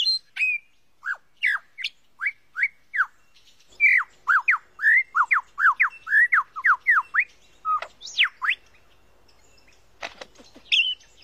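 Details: Australian forest lyrebird, famed for copying other sounds, giving a rhythmic series of clear slurred whistles that speeds into a dense run of falling notes, then a high swooping note and scattered clicks.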